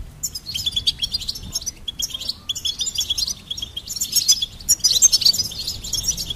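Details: Singing goldfinch: continuous quick twittering with tinkling, buzzy notes in several bursts separated by brief pauses, growing more intense and sparkling in the last seconds.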